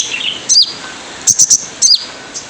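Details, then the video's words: Typical 'jrejet cuit' call of a wild sunbird, used to lure others into song: a high, sharp down-slurred chirp, then a quick burst of three thin notes, then another slurred chirp, over a steady hiss. "Jrejet Cuit Suara Panggilan Khas Sogon Liar"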